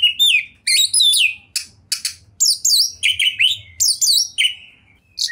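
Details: Kacer, the Oriental magpie-robin, as a champion singer in full, luxurious material, 2021. It delivers rapid chirps and looping whistled phrases that dip and rise, each burst clipped short, with a soft low hum beneath.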